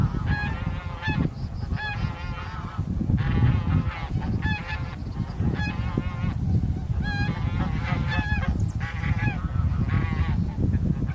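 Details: Flock of wintering bean geese with a leucistic individual, met by chance on 9 March 2021 and recorded with a Sony A7M3. Dense bursts of reedy, overlapping honks follow one another almost without pause over a heavy low rumble.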